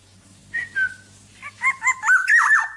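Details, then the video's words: Black-naped oriole, kept tame and uncaged, whistles a short slurred note, then a run of rising notes into a loud fluty warble over a faint low hum. "BURUNG KEPODANG TANPA SANGKAR GACOR DAN JINAK"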